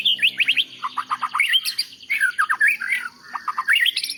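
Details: A national champion white-rumped shama sings rapid, evenly pulsed chirps at varied pitches, then twisting slurred phrases and more chirp runs, as master audio for training birds.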